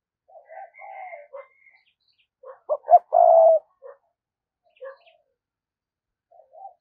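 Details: Spotted dove lure bird cooing to attract wild doves: scattered soft low coos, then one clear phrase of two short notes and a sustained mellow coo, with faint chirps.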